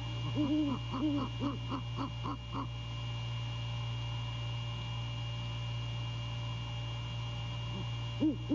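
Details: Great horned owl male at the nest at night in January, calling to his mate during courtship: about eight quick low hoots in the first three seconds, a long quiet gap with steady background hum, then one more hoot at the end.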